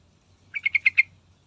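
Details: Yellow-vented bulbul song played to get other birds singing: one quick burst of five sharp, chattering notes, evenly spaced over about half a second, on a quiet background.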